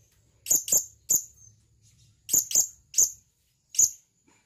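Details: Male blue-crowned hanging parrot calls for a female with sharp, high-pitched chips in pairs and singles, spaced by brief pauses, in an otherwise quiet setting.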